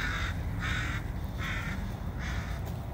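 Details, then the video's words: Crows from around town gathered along a walking route on a cold day, possibly resting or keeping warm. Four harsh, drawn-out caws come at a steady pace, with a low rumble of wind and footsteps underneath. "Crows Crows and some more Crows"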